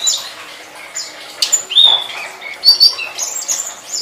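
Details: Master recording of a flowerpecker for training songbirds: sparse, very high tinkling chirps with a short clicking sound partway through, followed by a quick series of thin, sharp notes.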